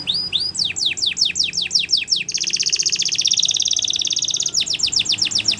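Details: Belgian canary singing as a teacher for young canaries: repeated sharply falling whistled notes about three per second, a dense fast trill in the middle, then the falling notes again.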